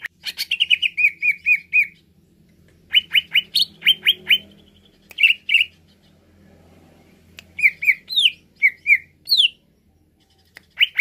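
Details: Greater green leafbird, played to excite other leafbirds, sings bright, high chirps in quick bursts of four to six notes, mixed with slurred rising whistles, with pauses between phrases over a faint low hum.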